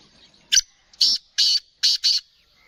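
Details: Black francolin (kala teetar) of the Sheedi strain, a bird kept for sale, giving a harsh call of five rasping notes: one short clipped note, then four longer buzzy ones in quick succession. The last two are close together and the background is quiet.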